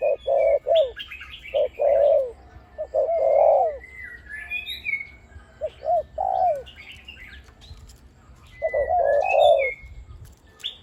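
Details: Big-voiced decoy spotted dove cooing in the 'khu ang' style. Groups of low hollow coos end in a drooping note, broken by pauses. Other birds chirp and whistle higher up throughout.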